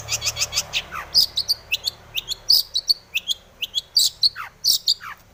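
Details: Long-tailed shrike in breeding condition, lure song for making other shrikes sing: quick bursts of high sharp chirps with bright whistled accents and a few downward-swooping notes.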